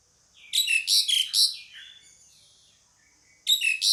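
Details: Pied myna, a female calling a male, giving a harsh, buzzy burst of four rapid chattering notes with a falling whistle, then quiet, then another loud burst starting near the end.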